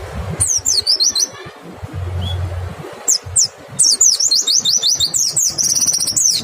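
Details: White-eye song for luring other white-eyes to sing: short clusters of sharp, very high chirps, a pause, then a long fast stream of twittering notes, with faint low rumbling underneath.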